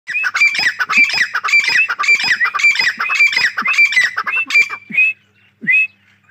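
Grey Francolin giving loud, harsh, high-pitched calls, about two a second, then slowing to a few rising whistled notes at the end.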